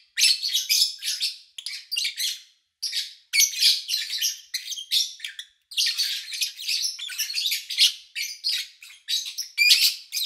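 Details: Lovebird chirping captured in August 2019 from morning to evening with little human activity: nearly continuous shrill, raspy chatter in overlapping bursts with only brief gaps.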